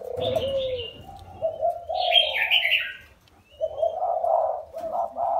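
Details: Spotted dove, wild-caught and kept caged four years, gives low coos before and after a short pause, overlapped by loud bright chirps of other birds.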